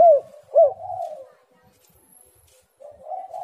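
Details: Spotted dove lure call for birds that are slow to call: two loud, downward-curving coos followed by a soft drawn-out coo, then near silence before another quiet coo begins.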